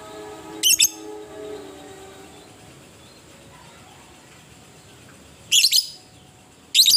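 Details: Fighting lovebird used as a provoking call to stir other lovebirds, with ngetik and ngekek styles: three brief, harsh, high chirps, well spaced, over faint steady tones and low background hiss.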